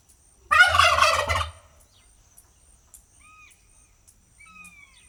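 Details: A turkey lets out one loud, rapid, rattling gobble lasting about a second, followed by a few faint thin whistles from small birds.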